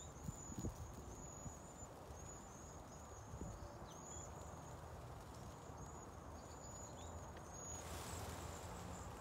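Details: Migrating cedar waxwings in San Antonio, Texas, recorded before a freeze: a sustained band of high, sibilant whistles with small wavering inflections. Low thumps sound at first, and a burst of rushing noise arrives near the close.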